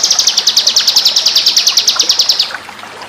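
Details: Shama song from a master training recording for competition birds: a steady, rapid trill of about twenty evenly spaced high notes over two and a half seconds, then quiet.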